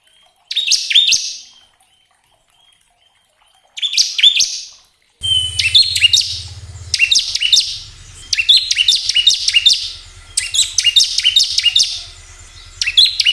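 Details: Bar-winged prinia song played to make caged birds sing: short bursts of buzzy, descending high notes broken by pauses and a thin whistle, later over a low steady hum.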